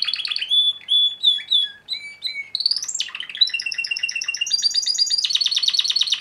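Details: Bred Timbrado canary cock singing: sustained whistled tones at changing pitches, a sharp upward sweep, then fast rolling metallic trills and dense rattling passages.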